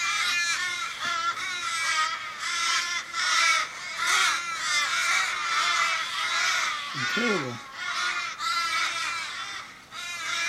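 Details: Australian ravens mourning a dying flock member in a Kellyville street, Sydney, 1 July 2012, fifteen or more circling. Many harsh, drawn-out wailing caws overlap continuously. A human voice speaks briefly near the end.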